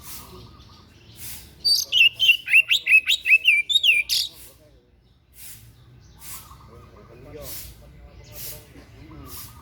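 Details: White-breasted bird giving an unusual song used for song tutoring: a fast burst of high, varied whistled notes repeated in quick succession for about three seconds, followed by quieter faint chirps and clicks.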